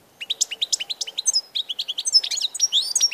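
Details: Goldfinch song from 16 March 2014: a rapid, liquid twittering stream of high chirps and trills, many short notes per second with buzzy flourishes, clear and close.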